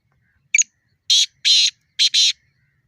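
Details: Black francolin (kala teetar), wild, calling in a fight or challenge: a short sharp opening note, then four harsh grating syllables, the last two paired closely, over a quiet background.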